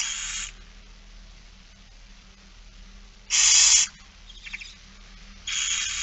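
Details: Begging barn owls at feeding, Friesland, September 2019: three spaced harsh hissing screeches, the middle one loudest, with a faint short twitter after it.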